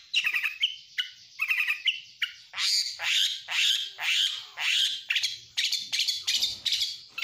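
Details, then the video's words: Stressed oriental magpie-robin, its voice a lure to make other birds sing and a daytime tutor: quick chattering phrases, then a series of harsh rasping notes about twice a second. "Pancingan Kacer Stres"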